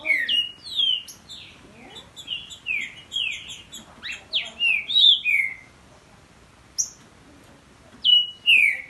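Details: Male Green-winged Saltator and his young son, both caged, trading song: quick series of downward-slurred whistles, a pause, then a few sharp whistled notes resuming.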